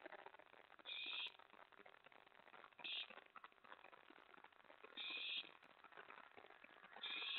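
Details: Nest of an owl in the early hours of 24 May 2017, with mouse and rat deliveries to an owlet: four harsh, hissing screeches roughly two seconds apart, over constant background hiss.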